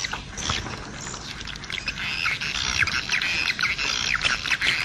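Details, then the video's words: Edible-nest swiftlet twittering: rapid, scratchy chirps in close succession, some with rising whistled notes, forming a busy, steady chatter. "SUARA WALET jaguar BURUNG WALET"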